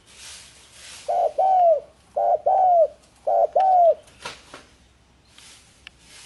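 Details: Spotted dove cooing: three phrases, each a short coo followed by a longer rising-then-falling coo, about a second apart, with bursts of hiss and a few clicks in the background.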